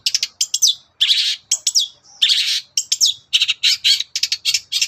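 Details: Morning song of a long-tailed shrike, played to stir other birds to reply: loud, dense bursts of scratchy, buzzy notes and quick downslurred whistles, delivered in rapid clusters separated by short gaps.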